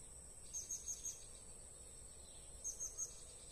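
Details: Blue-crowned hanging parrot (Loriculus galgulus) during a trapping session: two quick bursts of four thin, very high, sharp notes, over a steady high insect-like whine.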